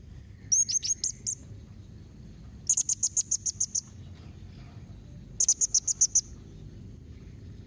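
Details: Blue-crowned hanging parrot calling to prompt answers from others: a chattering burst of high squeaky notes, then two runs of six to eight rapid shrill notes a few seconds apart, with quiet low hum between.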